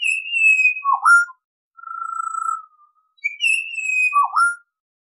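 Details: Pied Butcherbird song of mellow, flute-like whistles: a high held note sliding down, a dipping then rising note, a long level whistle, then the phrase repeated; quiet background.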